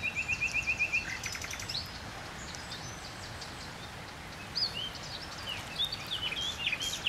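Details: A common nightingale (Luscinia megarhynchos) singing in a tree near water gives a fast, even run of rattling notes, then a pause and varied high whistles and sliding phrases, over faint hiss.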